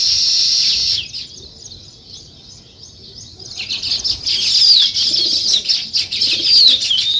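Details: Sparrows chirping in the morning alongside nest-building weaver birds: dense high chatter, a short lull, then busy twittering returns with quick sweeping notes and wing flutters.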